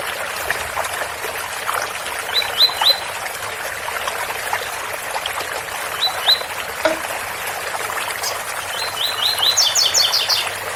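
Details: Double-collared seedeater singing the tui-tui song in the Ouro Fino style: short bursts of high, rapid, repeated notes at about 2.5, 6 and 9–10.5 seconds over a steady trickle of spout water.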